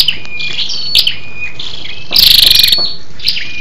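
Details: Lure calls of a female Scarlet-backed flowerpecker aimed at stimulating males: scattered sharp ticks and thin high whistles, then one fast, buzzy trill of about half a second.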